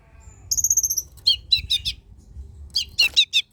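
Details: Recording of long-tailed shrike song for encouraging other shrikes to sing. A bright high whistled trill comes first, then a series of harsh, buzzy chattering notes spaced about a quarter-second apart.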